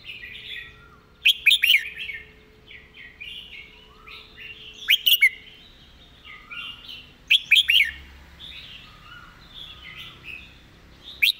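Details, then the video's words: Red-whiskered bulbul singing a fast, repetitive master song. Loud bursts of three to four bright whistled notes recur about every three seconds, over a steady faint warble from other birds. "เพลงดี"ปากไว เดินเพลงย้ำๆ เพลงแม่บท"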